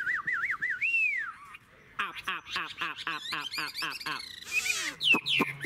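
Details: An adult, wild-caught hwamei with a fig-leaf tail, valued for long, beautiful singing. Wavering whistles and a long downward slur come first, then a fast string of sharp repeated notes and scratchy accents.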